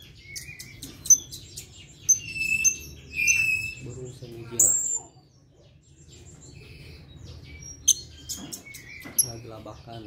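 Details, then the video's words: Male blue-crowned hanging parrot from Sumatra, caged, chattering in reply to a lure call. Thin high squeaks, short piercing whistles and sharp chirps in scattered bursts, with a brief stretch of human voice midway and low hum beneath. "Serindit / Srindit gacor , pancingan langsung nyaut"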